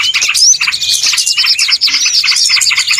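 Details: Small birds in a lure recording for trapping, twittering densely with fast high chirps, a clear rising whistle near the start and a string of bright whistled notes toward the end.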